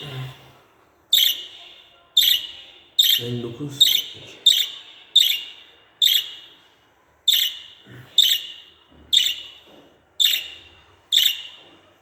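Budgerigar giving sharp, high chirps about once a second, each a bright downward-sliding note; a faint low thump is heard once or twice.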